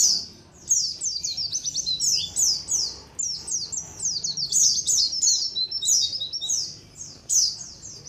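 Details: Chorus of white-eyes from a colony, played as a lure: dense bursts of shrill, falling tweets, several birds overlapping, with short pauses between bursts.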